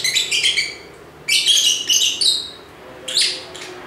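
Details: Shrill, rasping lovebird chirps come in three clusters, each a quick run of buzzy notes with brief gaps between groups.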